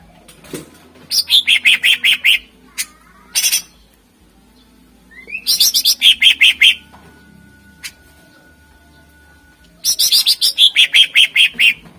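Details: Greater green leafbird (cucak ijo) song for luring contest birds: three bursts of quick descending repeated notes, each about a second long, separated by pauses with a few isolated chips.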